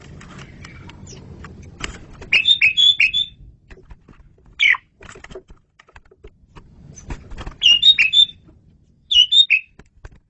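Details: Lively Asian pied starling song meant as a training recording: several quick bursts of bright whistled, warbling notes with a sharp single note between them, over light clicking and rustling background noise.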